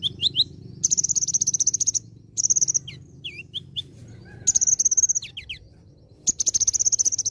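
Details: Chattering olive-backed sunbird singing a varied song with borrowed phrases. Fast, high-pitched rattling trills repeat several times, separated by brief looping whistles and quick rising chips, with low rumbling noise underneath.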